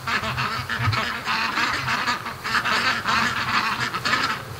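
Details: Domestic ducks from a flock of about fifty rushing home after a day swimming on a lake, spooked earlier; dense overlapping quacks and honking calls in rapid bursts, with splashing and rushing noise.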